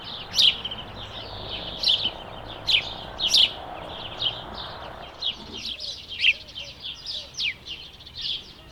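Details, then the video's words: House sparrow: loud, sharp chirps repeated irregularly in the first half, then a denser stream of quicker, softer chirps and twitters from several birds later on. "House Sparrow | Σπουργίτης with Natural sound"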